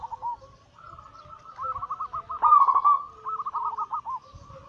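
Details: Zebra doves, local and Bangkok crossbred birds, give anggungan song used as a daily lure to stir other doves into singing and for trapping: rapid rolling coo notes at one steady pitch in bursts, several voices overlapping, loudest mid-clip.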